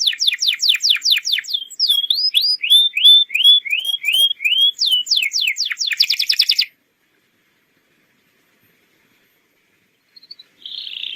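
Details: Atlantic canary lure song for young birds to copy: rapid steep downslurred notes, a run of rising looped whistles, more fast sweeps and a buzzy trill, then several seconds of silence before a faint chirp.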